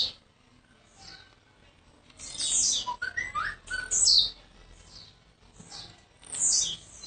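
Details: Blue-black grassquit, a recently arrived kept bird from Jacarepaguá, Rio de Janeiro, repeating high sizzling down-slurred phrases, with a few lower whistled notes mixed in midway and soft background hum.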